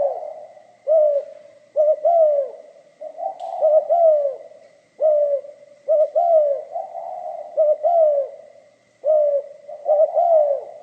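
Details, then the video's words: Spotted dove, 'giọng pha kim' voice, cooing a long run of phrases: each opens with a rapid double note and falls away in a longer mellow coo, spaced about every second or two, a faint high hum steady throughout. "Tiếng chim cu gáy giọng pha kim"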